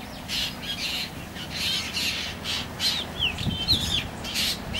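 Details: Juvenile black drongo giving harsh, rasping squawks in short bursts, with a few thin upslurred chirps mixed in and a steady low rumble underneath.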